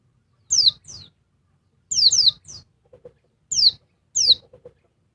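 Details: Female oriental white-eye calling noisily, provoking the male: high, piercing downslurred chirps in pairs, repeated at intervals of about one to two seconds, with soft fluttering thumps and faint low ticks.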